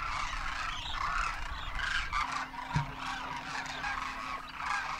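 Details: Demoiselle Cranes gathered in vast numbers in Rajasthan, India, during winter, adults and juveniles taking off; many overlapping rolling trumpet calls form a steady chorus, with a brief thud near the middle and a faint hum.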